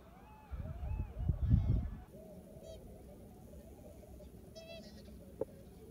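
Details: Greylag geese feeding on harvested sugar beet remains in farmland at Westpolder, Groningen, Netherlands, 6 January 2021, give nasal, arched honks, several birds calling over one another, with wind rumble strong in the first two seconds.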